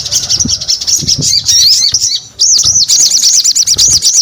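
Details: Sogon pours out quick high chirps, pauses briefly, then gives a run of arched, looping notes repeated about five times a second, in energetic song.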